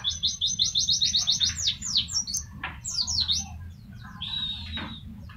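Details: Tutor song of a pleci white-eye in tembakan style: a rapid volley of high, evenly spaced chips, then varied swooping twittered notes, finishing with a thin, steady high whistle; low hum behind.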